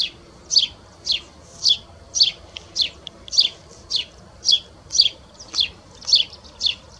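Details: A presumed Spanish sparrow at S'Albufera, which sounded like a Tree Sparrow, gives a steady run of harsh, bright chirps, about two each second, with nothing else heard.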